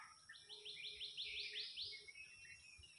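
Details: Orange-headed thrush song, a rapid, even series of about ten bright upslurred whistles that grows louder, followed by a few softer notes over a faint low rumble.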